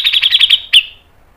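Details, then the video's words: Brief grey-cheeked bulbul (cucak jenggot) fragment: six quick, bright whistled notes in a rapid even row, then after a short gap one louder, sharp downslurred note. "MASTERAN CUCAK JENGGOT MBESET NGEPIK NEMBAK PANJANG SPEED RAPAT"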